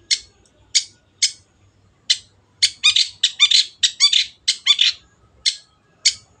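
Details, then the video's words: Long-tailed shrike, known locally as cendet, singing vigorously in a recording used to train caged birds: harsh, scratchy high notes that start spaced out, then crowd into fast rattling bursts, with a few lower clicks mixed in. "MASTERAN BURUNG CENDET GACOR"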